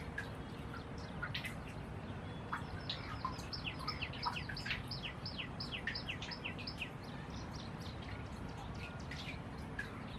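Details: White-rumped munias eating seeds in Burma, giving thin, high chirps in quick, irregular bursts, several notes a second, over a steady low rumble of background noise.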